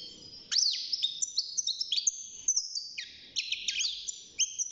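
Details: Young European goldfinch in a cage, six months old and starting to sing, pours out tinkling high twitters and slurred whistles with quick buzzy notes, broken by short pauses, faint low room sounds behind.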